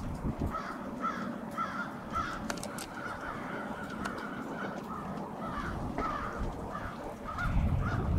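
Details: Crows assembling for winter staging on Washington Street, Brattleboro, Vermont, 16 February 2021: repeated hoarse caws from many birds, some in paired downward-sliding notes, with a sharp click and rising traffic rumble near the end.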